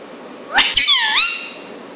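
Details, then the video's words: A 2-year-old Indian ringneck (rose-ringed) parakeet indoors, which talks and laughs, gives a sharp rising squawk, then a drawn-out nasal, wavering tone lasting about a second, almost like a cat's meow, in an otherwise quiet room. "Talking and Laughing Parrot"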